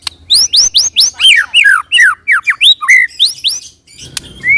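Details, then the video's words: White-rumped shama rolling song used to provoke other shamas into singing: fast rising whistles, then descending slurred notes in a lower register, closing with a few upslurs and a pause. "pancing murai dengan roll tembak ini murai batu manapun akan respon bunyi ngerol"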